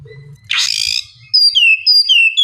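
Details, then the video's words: Oriental magpie-robin, ngeplong song played to get a lazy bird calling: a short harsh rasping burst followed by long, clear whistled notes that slide downward, repeated three times. "terapi kacer ngeplong santai, pancingankacer bahan malas bunyi supaya cepat nyaut gacor"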